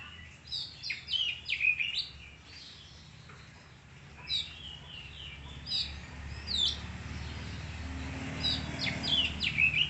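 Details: Oriental magpie-robin (kacer) delivering scattered bursts of sharp chips, slurred whistles and quick trills, irregularly spaced over about ten seconds, with a low rumble in the background.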